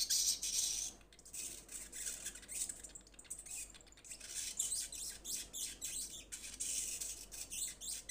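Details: Young sunbird calling to its companions, beginning to call actively: high, thin chips and short rapid chattering bursts repeated irregularly over a steady hiss of background noise.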